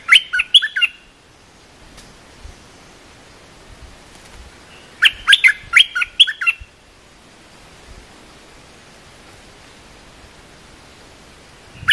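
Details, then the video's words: Training song of a cream-vented bulbul for young birds, two bursts of rapid, jumbled chirps and warbles separated by quiet stretches, faint low noise behind. "เสียงนกดอกแตงEp.173 เพลงหัดลูกเสอ/ลูกใบ้ เพลงสั้นๆน่าฟัง"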